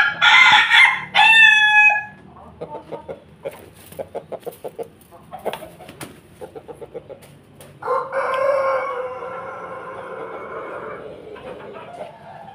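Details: Crossbred Pelung and Bangkok rooster: a loud, harsh opening burst, then a run of short rhythmic clucks, then a long, steady, harmonic-rich crow held for about four seconds.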